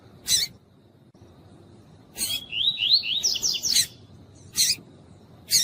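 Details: Female double-collared seedeater (coleiro tuí-tuí) calling to stir up a cold male during pairing; one rapid burst of high, rising-and-falling chirps about a second and a half long, bracketed by loud sharp clicks.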